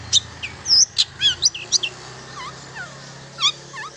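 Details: Long-tailed shrike song meant to prompt silent shrikes to sing: scattered high chirps and whistles, then softer repeated downward-curving whistled notes spaced apart.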